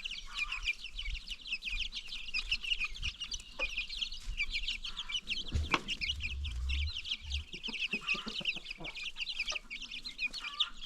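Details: Free-range chickens on a farm with new baby chicks: a dense, continuous chorus of high, short falling peeps from many chicks overlapping throughout, with a few soft low thumps and rustles.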